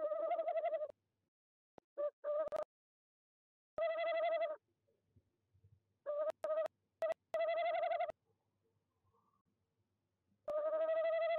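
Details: Tawny owl visiting a nest box in De Mortel, Netherlands, at night, 19:33 CET in January 2021, hooting: a long, hollow hoo, a pause, a few short hu notes, then a long, quavering final note, repeated in a quiet night.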